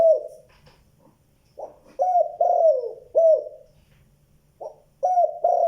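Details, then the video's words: Spotted dove calling in the giọng đồng tốt, tiếng 2 hậu lỡ style. Repeated phrases of soft, throaty coos, each a quiet lead-in, then loud rounded notes with one long descending coo, separated by short pauses. "tiếng chim cu gáy gọi (giọng đồng tốt tiếng 2 hậu lỡ)"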